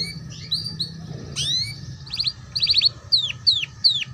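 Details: Tutor recording of canary ngeriwik song for juvenile birds. Soft whistles lead to a loud swooping note, then rapid stuttering trills and a few sharp descending whistled notes, about three per second.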